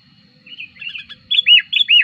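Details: Sooty-headed bulbul lure song used to attract wild birds and as a tutor recording: a short run of bubbly chirps followed by three loud, rich, downward-arching whistled notes, clean and without other sounds.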